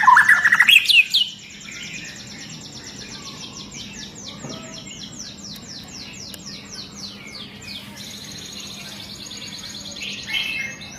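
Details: Agitated long-tailed white-rumped shama opening with a loud phrase of rising, tightly packed high notes, then a long run of faint descending whistled notes repeated steadily, ending with a brief sharp phrase, amid a quiet hum.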